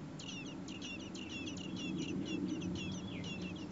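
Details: Common blackbird nestlings, four in the nest, begging as both parents bring food on a day above 30 °C; a rapid, dense run of sharp high twittering notes, about four per second, over a low background hum.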